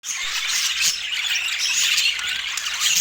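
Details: Colorful pet rainbow budgies eating sweet apple, giving a dense, continuous high chatter of scratchy chirps and warbles, steady throughout with no pauses.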